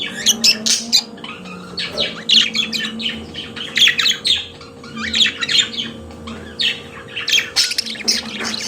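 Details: Pet budgerigars warbling continuously: dense rapid chatter of scratchy chirps, clicks and squeaks in overlapping bursts, a low hum running throughout.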